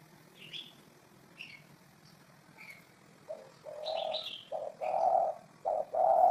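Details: Spotted dove calling: after scattered high chirps from small birds, a series of low, mellow coos builds up. Longer rolled notes grow louder toward the end.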